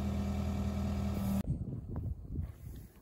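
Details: A vehicle engine hums steadily with a low drone, then cuts off abruptly halfway through, leaving scattered low knocks and rumbling outdoors; no animal sound.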